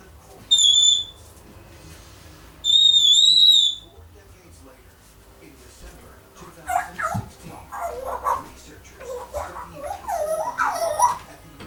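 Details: Indoor one-year-old female African grey parrot, known for mimicking phrases like "wanna come with me" and "ho ho ho Merry Christmas"; two clear high level whistles, then a run of speech-like chattering syllables in varied pitch.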